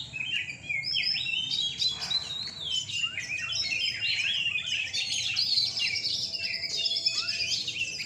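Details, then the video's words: Caged Oriental magpie-robins (kacer) at a night singing contest in Rungkut, Surabaya, Indonesia: dense overlapping whistled phrases, sliding and warbling, several birds singing at once with a steady low hum underneath. "Lomba Burung Kacer mania di gantangan malam"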